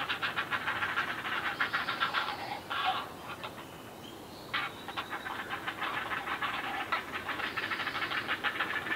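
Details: Great blue heron at feeding time: dense, rapid, rasping clattering bursts repeated several times a second, pausing briefly near the middle before resuming in harsh, hissing rattling runs.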